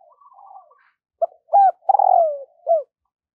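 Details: A decoy spotted dove coos in the morning to attract wild birds. Faint trilled notes lead into a clipped note, a hooked coo, a long vibrating coo gliding down, and a final short coo.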